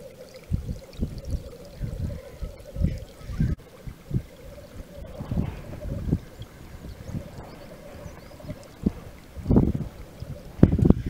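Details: Black grouse males at a lek in Wales in March 2013 give a continuous low bubbling, cooing chorus, with irregular low thumps and rumbles of wind or handling.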